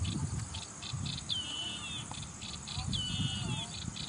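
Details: Yellow-eyed Babbler song: two long whistled phrases, each opening with a sharp downward slur and then held level, separated by about a second and a half, amid rhythmic insect pulses and low rumbling noise.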